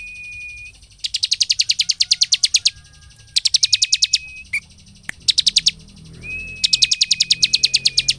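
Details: Bar-winged prinia singing vigorously, a song used to provoke other prinias into excitement and quick song: bursts of rapid, evenly repeated high buzzy notes about twelve per second, separated by a thin, steady whistled tone.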